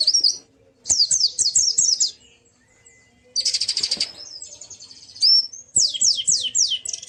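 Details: A white-eye sings in ngalas style, a recording meant to stir a silent bird into song: series of rapid downslurred chirps, a buzzy rasping burst midway, then more quick sweeping notes.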